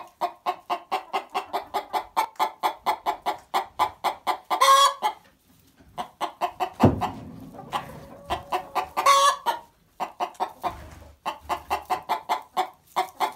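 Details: Loud, talkative Barred Plymouth Rock hen singing her egg song after laying, with long runs of rapid, rhythmic clucks broken by two drawn-out cackling squawks and a brief low rumble of background noise.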